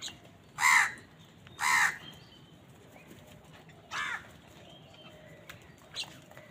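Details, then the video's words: Many crows calling on a winter morning: two loud harsh caws close together, then a fainter caw and a few distant calls over quiet background. "Many Crows crowing sounds and noises on a winter morning"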